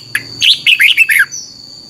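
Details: A single short phrase from a red-whiskered bulbul, used as training song for caged birds: a brief note, then four or five fast, clear whistles stepping downward, with a steady high hum behind.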